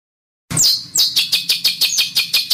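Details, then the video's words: Rough besetan bird song as a master for training competition birds: after a brief silence, a loud burst of sharp, downslurred high chirps repeats rapidly, several per second. "MASTERAN Burung Denagn Suara Besetan Kasar"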